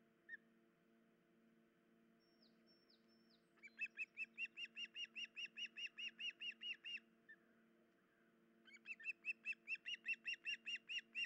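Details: Osprey at the nest on 10 July 2019, the female hurt and unable to feed her chicks: a few thin descending whistles, then a long evenly spaced series of sharp chirps, a pause, and another rapid series, with a constant low hum.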